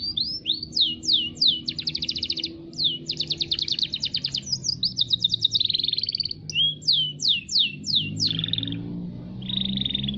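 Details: Local canary in full song: repeated sharp downslurred whistles alternate with rapid rattling trills and buzzy rolls, varied high phrases delivered without pause over a low murmur of background noise.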